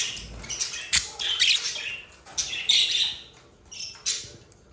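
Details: Budgerigar pair in love giving bursts of raspy squeaking and sharp chirps, uneven in rhythm, with short quieter gaps between the louder phrases.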